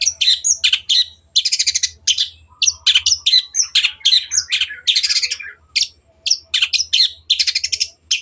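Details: Long-tailed shrike (cendet) pouring out gacor song meant for other birds to copy: rattling buzzy bursts mixed with sharp squeaky and chattering notes, delivered almost without pause over a faint low hum.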